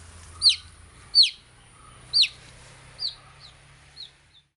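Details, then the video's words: Baby chick gives five or six high downward peeps that grow softer and farther apart, over a steady low background hum. "Cute Baby Chicks Chirping Sound"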